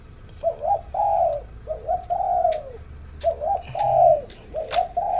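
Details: Zebra dove singing in the morning: soft repeated coos in short rolling phrases, each group a quick burble then a longer descending coo, with faint clicks and a low background hum.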